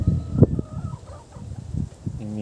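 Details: On a rainy, foggy day a rooster gives low, throaty clucks in short, uneven bursts, calling the hens to something he has spotted on the ground to peck. A brief nasal note closes the sequence.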